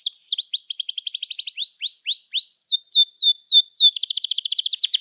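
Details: Canary song meant to make other canaries sing: a quick trill, slower rising slurred whistles, a series of falling notes, then a rapid even trill to the close.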